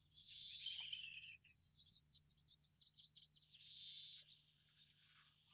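Little bunting giving a thin, high, slightly falling buzzy phrase, a few faint ticks, then a second short high buzz; otherwise quiet.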